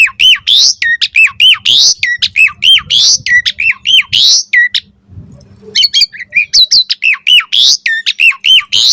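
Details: Asian pied starling song played to draw replies from other starlings: loud repeated hooked whistles and harsh notes in quick bursts, a short quiet break with low background noise near the middle, then the same phrase pattern returns.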